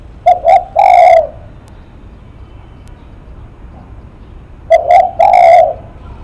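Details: Spotted dove in lắc mặt style: two clipped notes followed by a deep, sustained coo, given twice with a long quiet gap between the phrases.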